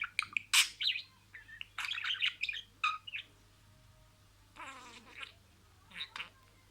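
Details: Talking budgerigar mimicking words: loud scratchy bursts and clicks early, a dense run of chatter in the middle, then a long quiet gap before softer raspy syllables.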